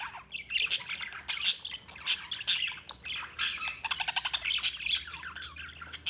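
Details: Budgerigars chirping: busy, overlapping chatter of quick high chirps, squawks and rapid warbled trills from several birds, with loud bursts every second or so.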